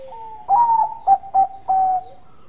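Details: Zebra dove, Bangkok type, in good voice, its coo meant to provoke rival birds to answer: a sustained slightly falling note followed by two short punchy notes and a final long even note, clear and mid-pitched against a quiet background.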